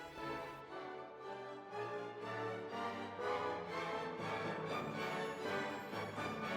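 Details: Orchestral music with sustained strings and a steady pulse fills the whole recording.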